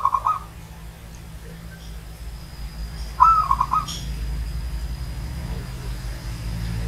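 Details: Old zebra dove coo: the end of one phrase at the outset, then a full rolling, stuttering phrase of quick pulsed notes about three seconds later, over a rising low rumble of background noise.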